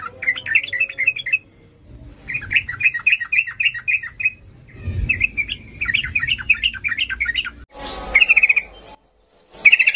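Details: Sooty-headed bulbul singing energetically in the excited 'ngalas' style, used for training young birds: fast bursts of bubbly, warbling notes in phrases of one to two seconds separated by short gaps, with brief noisy interruptions.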